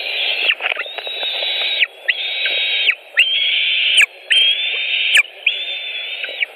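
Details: At a white-tailed eagle nest in Latvia, 5 July 2018, evening, fish delivered: a steady series of long, flat, piping whistles, each about a second, about one per second, with faint clicks between.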